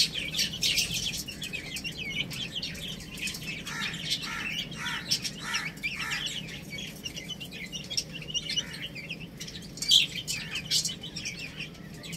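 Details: Baby chicks playing and eating, a busy stream of high chirps and peeps overlapping throughout, with soft scratchy background noise.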